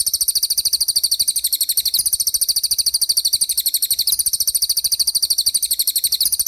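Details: Common iora, called cililin, in continuous energetic 'roll speed' song: an unbroken stream of very fast, high, buzzy repeated notes with a slight wavering rhythm, pitch nudged up every couple of seconds, no other sounds.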